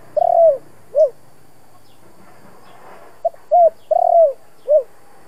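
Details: Spotted dove in the 'giọng thổ' voice, meant to excite decoy doves. A long rolling coo with a falling note, then after a pause a tick, a short coo, another long rolling coo and a dropping end note.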